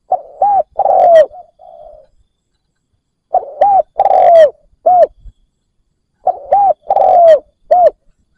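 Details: Spotted dove kept as a decoy to draw in wild doves, giving three repeated phrases of mellow coos. Each phrase is a short arched note, a long sliding coo and a closing hooked coo, spaced about three seconds apart.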